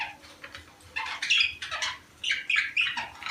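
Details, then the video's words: Pet budgerigars in a recording used to encourage mating; scratchy, squawky warble in short loud bursts, separated by quieter pauses, with a low steady hum in the background. "صوت يحفز طيور البادجي على التزاوج"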